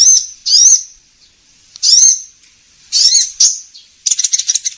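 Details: Lure call of the sunbird (kolibri ninja) used by bird trappers: high sweeping notes spaced about a second apart, ending in a fast, buzzy, stuttering trill.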